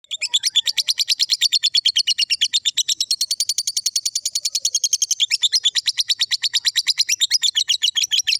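A lovebird pours out a long, unbroken chattering trill of harsh, high notes, about eight a second, with no other sounds.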